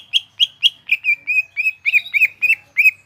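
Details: Cucak ijo (greater green leafbird) in gropyokan gacor song: a fast, regular series of clear whistled notes, some plain, some with a twisting downward inflection.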